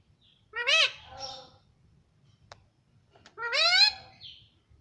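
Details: Pet green ring-necked parrot talking in Hindi, saying "mummy": two harmonic, rising-then-falling syllable pairs about three seconds apart, with quiet room noise between.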